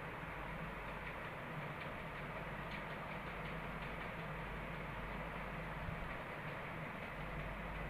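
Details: Steady rattling, train-like noise with a low hum fills the whole stretch, and no bird voice can be picked out.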